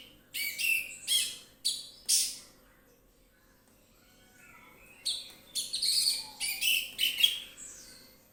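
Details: Relaxed full song of an orange-headed thrush, played to draw other birds into song: a string of sharp, punchy notes, a soft falling whistle in the pause, then a longer fast medley of scratchy and whistled notes.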